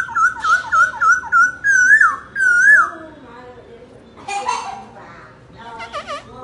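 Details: Laughingthrush song opens with fast, looping whistled notes, then longer swooping whistles. Human voices and other sounds follow in the second half.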